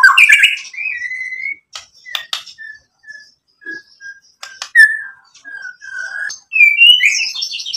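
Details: White-rumped shama song used to provoke rival shamas into singing: sparse clear whistled notes, some short and flat, some sliding, separated by clicks and gaps, ending in a rich warbled flourish.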